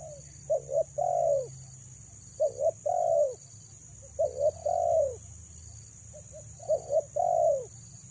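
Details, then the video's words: Female spotted dove calling to attract males, repeating four hollow phrases of two brief coos plus a drawn-out falling coo, roughly every two seconds, against steady background hiss. "BURUNG TEKUKUR BETINA PREM4N MENGH4JAR PIKAT"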